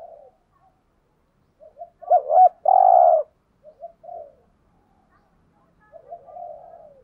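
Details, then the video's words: Spotted doves, male and female, cooing in a lure meant to draw wild birds: one loud phrase of a quick two-part note and a long rough coo, framed by faint soft murmurs. "chim cu gáy kích bổi thúc gù/ chim cu gáy mồi bài bản [ thúc gù. gáy gọi ]"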